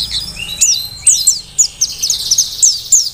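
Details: Forest-caught Merapi mountain white-eye singing energetically as a master recording for training birds: sharp, very high chirps spaced about every quarter second over a soft continuous high twitter.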